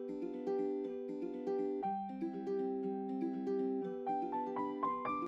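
Gentle piano music plays a steady melody of repeated chords and rising notes, with no animal sounds.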